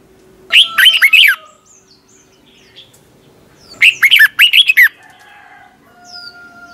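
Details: Red-whiskered bulbul competition singing, 'twisted voice' morning song for training birds: two bouncy phrases of swooping whistled notes about three seconds apart, with faint thin calls of other birds in the quiet background.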